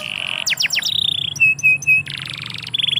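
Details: Canary singing in a yard: loud varied song with a steady trill, quick falling sweeps, sharp repeated whistled notes and a rapid buzzy rattle, then a renewed trill.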